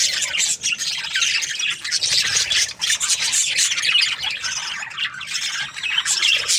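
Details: Many Australian budgerigars in breeding season chirping together, a dense continuous chatter of high warbles, squawks and short chirps with no pauses, from a flock.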